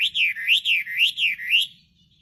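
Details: Chinese hwamei singing persistently, giving about six looping whistled notes in under two seconds, each sliding down and then up again in a smooth, rhythmic wave before the phrase stops.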